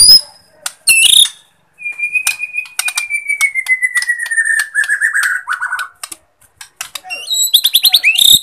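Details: Borneo white-rumped shama song used to stir up shamas that will not sing: one long, slowly falling whistle lasting several seconds, threaded with rapid clicks, followed by bright high stacked notes at the end.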